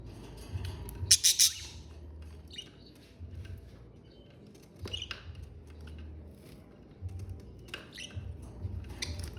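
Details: A pet family of six budgerigars living together in a home gives bright, scratchy chirps and short chattering bursts over a low room rumble.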